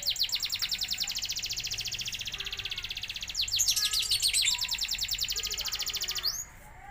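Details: Canary singing a long, very fast, high trill of evenly repeated notes, shifting after about three seconds into a louder, busier rolling phrase, then ending with a sweeping note and near silence.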